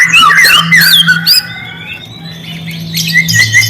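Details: Lure recording of a white-rumped shama, used to make quiet shamas answer: a burst of fast, rich warbled phrases, then a long, thin, level whistle and a closing chatter, with a constant low hum underneath.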